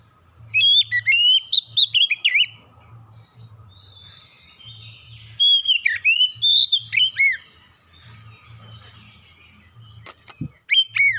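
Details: Singing oriental magpie-robin used to lure birds into song: repeated bursts of varied, shrill whistled phrases with steep slides and trills, separated by short pauses, a sharp click near the end, and a soft low hum throughout.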